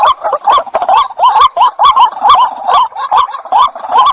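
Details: Two white-breasted waterhens call together in clear, rhythmic bursts, each a bent, upswept note with rough overtones, repeated over twice a second with short breaks between groups.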